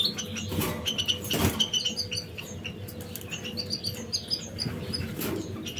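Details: Caged canaries busy building and finishing their nest before laying eggs: a steady scatter of short, high chirps and tweets, with wing flutters and rustling of nest material throughout.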